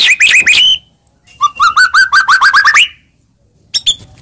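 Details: Lure recording to provoke a quiet murai into singing: quick rising whistled notes, then a rapid, evenly repeated series of upslurred chirps that climb in pitch, a pause, and a final short burst.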